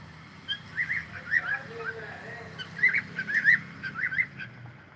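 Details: Cockatiel song: a rapid run of short warbled whistles, rising and falling in small looping phrases, with brief gaps and a few softer lower notes underneath, against faint background hum.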